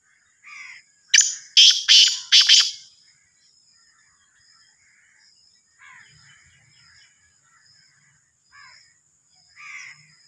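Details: A Sindhi black francolin bursts into a four-note harsh, scratchy call early on. It is followed by quieter scattered chirps and a faint constant high-pitched tone in the background.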